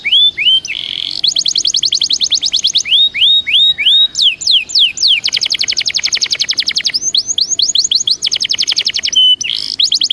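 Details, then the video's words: Warm-up song from a Belgian canary, looping whistled notes broken by long, very fast metallic trills of clipped repeated notes and a held pure whistle near the end. "CANTO DE CANARIO BELGA PARA ESQUENTA"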